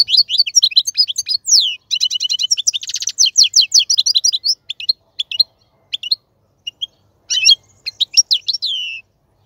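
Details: Male European goldfinch song for teaching young goldfinches. Dense, fast high twittering with a buzzy trilled stretch, thinning into scattered chirps and a few brief phrases toward the end.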